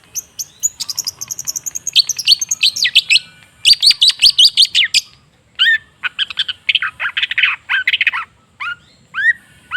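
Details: A long-tailed shrike lure song, meant to set a quiet shrike singing. A long varied medley runs from fast high trills into rapid rising whistles and scratchy warbled phrases, with short pauses between runs.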